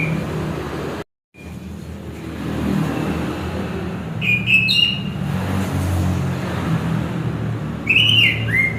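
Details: Chestnut-capped thrush (anis kembang) singing: two short clear whistled phrases, the second sliding downward, separated by several seconds over a steady low rumble of passing vehicles.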